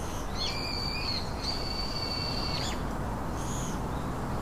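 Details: Three baby birds in their nest utter long, thin, level high whistles lasting over a second each, with a brief fainter note near the end over steady hiss.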